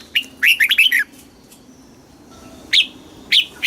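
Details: Red-whiskered bulbul song in the southern Thai master style, played to stimulate caged birds and teach young birds: a quick burst of four or five bright warbled notes, then two lone chirps after a pause, over faint background hiss.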